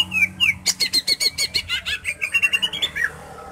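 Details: Greater green leafbird song, played to bring another bird into breeding mood before a song contest: varied high chattering, a fast run of repeated sharp notes, then slurred whistled phrases rising and falling.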